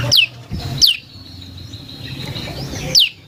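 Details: Prinia song used as a lure for other birds. Quick high down-slurred notes come in a pair, then a pause filled by a thin steady tone. Another note follows near the end.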